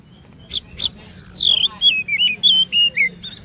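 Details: Oriental magpie-robin singing as a lure for other magpie-robins: a couple of sharp clicks, then a long downward-sliding whistle followed by quick wavering whistled notes.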